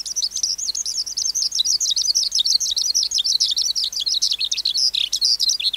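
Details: Skylark, caught wild as an adult, sings a bright, nonstop high warble of rapid chirps and fluttering trills, evenly loud throughout.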